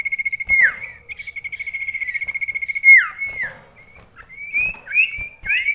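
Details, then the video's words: Common iora in a very close indoor song contest: a rapid even trill that ends in a downswoop, a long trill with another drop, then rising upslurred whistled phrases. "Extrime ADU Mental SIRTU Cipoh"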